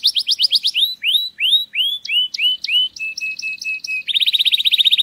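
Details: Canary singing a mating song meant to stimulate females: a clean run of high whistled notes that swoop up and fall, then a row of short steady even tones, ending in a fast buzzing trill, with no other sounds.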